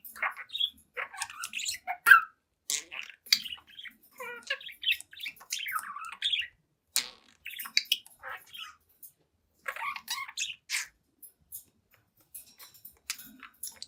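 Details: Talkative young budgerigar, seven months old, chattering to itself in a mirror: long run of fast, scratchy twitters and chirps in irregular bursts with short gaps, no other sounds.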